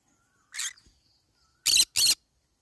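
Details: Green-cheeked conure while eating banana leaves gives three harsh, raspy squawks: a thinner first one, then a louder pair close together, each brief and noisy.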